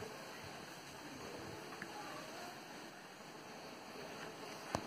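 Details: Steady broadband hiss like running water, with a few faint ticks and one sharp click just before the end; no animal voice stands out.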